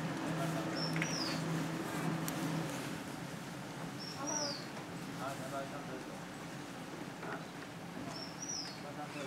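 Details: White-whiskered laughingthrush, a Taiwan endemic, giving three thin, high whistled notes, each slurring downward, spaced three to four seconds apart over steady background noise and faint voices.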